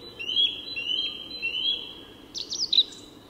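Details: A song thrush sings at dawn in Tyresta National Park, Sweden: one clear whistled phrase three times in a row, then a burst of quick, sharper, twisting notes, over a low background hum.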